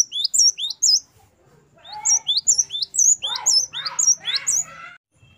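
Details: Great tit (gelatik batu) giving lively 'wucit variasi' song for training captive birds: high paired whistles, a break, then whistles mixed with harsher buzzy chattering notes before fading.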